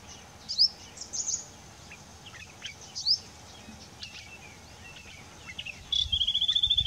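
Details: Yellow-eyed Babbler singing in September, still in song: a few clear, sharply rising whistles among soft chirps, then a fast, even trill of high notes, over faint background hiss.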